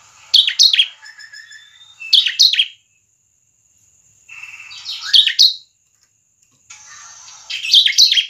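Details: Bar-winged prinia of the 'semi Cristal' type in lively song, used to lure other prinias into singing: bursts of sharp, high chirps in quick clusters, separated by short pauses, over a faint steady high whine.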